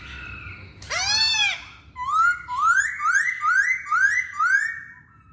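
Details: Song of a masked laughingthrush: one loud, rich arched note, then a quick run of five rising whistles, each sweeping upward and repeated at steady half-second intervals.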